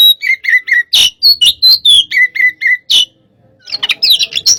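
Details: Oriental magpie-robin, 'hot type' sparring song: crisp paired whistles repeated in a regular series, some higher upslurred notes, then a busy jumble of high chattering at the end.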